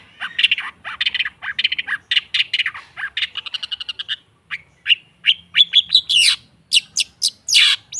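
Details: Long-tailed shrike song used as a lure to make a silent kept shrike start singing: harsh, squawky notes in quick bursts, then sparse chips and rapid high buzzy trills near the end.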